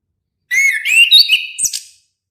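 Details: Sweet song of an orange-headed thrush: a run of rolling, varied whistles about one and a half seconds long, finished by a thin higher-pitched note.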